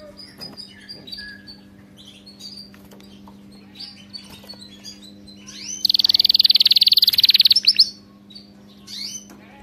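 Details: Canary singing for training: mostly quiet with faint scattered chirps, broken by a loud, very fast, buzzy trill lasting about two seconds, then a few soft notes.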